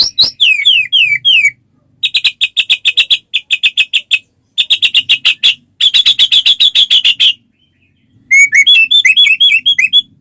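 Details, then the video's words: Energetic white-rumped shama song meant to set other shamas singing: sliding whistles open, then long bursts of rapid, sharp, high clicking notes, closing with quick twisting whistles. "suara burung murai batu gacor sangat cocok buat pancingan murai batu agar cepat bunyi ikut gacor"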